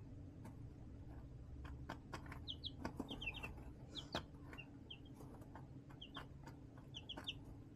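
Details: Young chicks in a brooder box made from a storage tote with a heat lamp, March 2024: scattered high, short chirps in small clusters every second or so, amid sharp tapping clicks and a constant low electrical hum.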